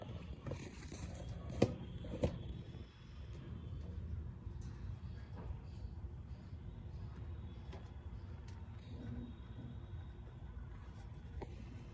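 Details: A steady low rumble of vehicles fills the background, with faint speech and a couple of sharp clicks near the start. No animal voice stands out.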